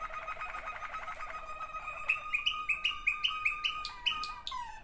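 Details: Two sibling Waterslager canaries: a dense low roll for two seconds, then a run of about nine crisp repeated notes with high flicks, fading into a falling rolled tail.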